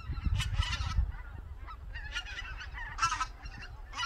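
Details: White-fronted geese on a winter morning in Cheorwon, Korea, flying from Togo Reservoir to the Cheorwon Plain to feed. Short bursts of honking, yelping calls come in clusters, with a steady low rumble of wind beneath.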